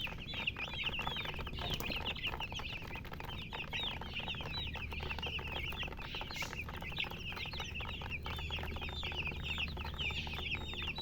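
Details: A flock of baby chicks chirps nonstop, shrill short peeps tumbling over one another throughout, with a steady low hum underneath.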